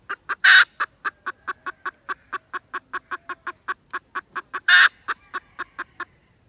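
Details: Red junglefowl, 16 December 2021: a steady run of short, clipped clucks, about four per second, with two louder, broadband harsh bursts standing out.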